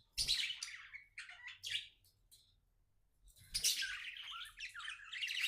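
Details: Happy pet budgerigar chirping indoors: two bursts of harsh, buzzy, warbling chatter, the first lasting about two seconds and the second starting after a quiet gap, with scratchy rising and falling notes.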